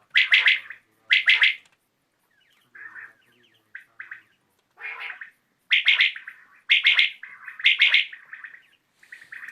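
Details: Evening recording of a common quail: loud three-note phrases open and close the passage, separated by soft, lower, purring notes and brief quiet spells.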